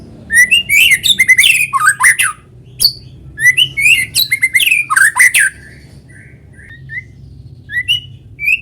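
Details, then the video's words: White-rumped shama song, natural sound for luring other shamas to sing: bursts of rapid rich whistles and harsh notes, followed by softer scattered upslurred whistles. "PANCINGAN BURUNG MURAI GACOR SUARA ALAMI BIKIN MURAI BATU IKUT BUNYI"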